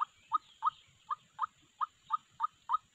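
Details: White-breasted waterhen call used as a trapping lure: short, clear, sharp notes repeated evenly about every third of a second over a quiet background.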